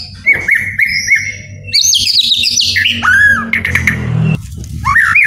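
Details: Captive white-rumped shama song, used to get idle birds singing: a row of short, evenly spaced whistled notes, then a dense burst of high, tumbling phrases and slurred whistles, with low background hum.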